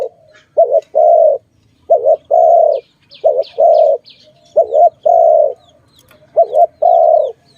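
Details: Dove in a bird-trapping context gives repeated low coos. Each phrase is a brief doubled note followed by a longer held coo, five phrases in about eight seconds. High, thin chirps of smaller birds sound faintly in between.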